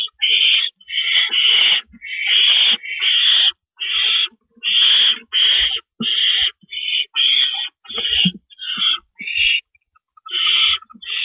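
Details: Owl nest at night, April 4, 2012, about 4:30 AM, with adults carrying rabbits in and out: a long run of harsh, breathy screeches, short and closely spaced at an uneven pace, with brief scuffling thumps.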